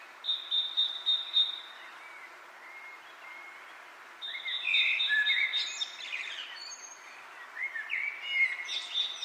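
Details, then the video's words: Wind blowing leaves with bird chirping: a high pulsed trill, a quieter stretch of faint notes, then a louder burst of sliding whistles and chirps before the trill returns. "Wind blows leaves, leaves bird chirping sound"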